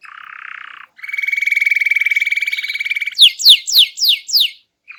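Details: Canary singing energetically to prompt silent birds to sing: a low buzzy note, a long steady rolled trill, then five loud downward-sweeping whistles in quick succession.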